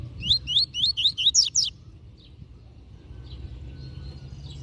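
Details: A master double-collared seedeater gives a "Tui Tui Zel Zel" tutoring song: one fast run of about seven rising whistled notes ending in sharp, high, strained notes, then faint distant chirps against low background hum.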